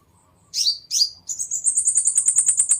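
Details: Seven-coloured sunbird song used as a lure to attract birds, clean recording: two sharp descending chirps, then a rapid run of high thin notes repeated about eight times a second, steadily louder.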